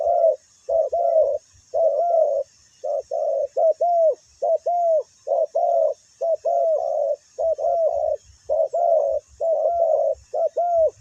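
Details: Ground-decoy session drawing in wild spotted doves: a run of soft, hollow, downslurred coos in quick series, slightly irregular spacing, with faint low knocking sounds.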